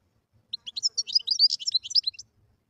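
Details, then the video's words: A wild European goldfinch sings a continuous phrase of quick, high, tinkling and slightly buzzy notes lasting under two seconds, in quiet surroundings. "تغريد الحسون البري"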